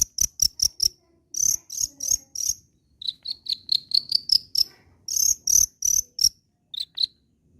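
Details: Long-tailed shrike singing steadily, meant to spur other shrikes to keep calling: clusters of sharp, high, clipped notes repeated in quick bursts with short pauses, some shrill and ringing, others thinner and lower.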